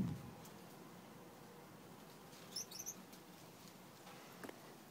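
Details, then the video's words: Yellow Gouldian finch babies, captive and starting to leave the nest, produce a brief cluster of sharp, very high squeaky notes midway, with soft rustles and a low room hum around them. "Gouldian finch babies leaving the nest"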